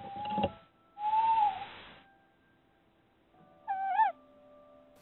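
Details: A male tawny owl gives contact calls to his absent mate after finding the clutch failed in late winter: three hooting notes, the middle one swelling and the last wavering, spaced over five seconds; the female may answer faintly, with background hum.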